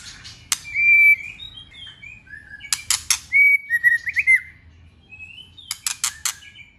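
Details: ['Wild-style song of a female white-rumped shama aimed at rousing males: sweet sustained whistles broken by loud raspy strokes, a warbled run of twisting notes, then further rasps.']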